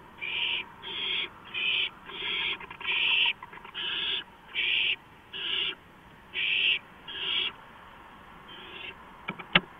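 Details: Owl at 2:05 AM on a porch, 5 April 2015; a quick run of about ten rough, hissing screeches comes less than a second apart, then a sharp click at the end.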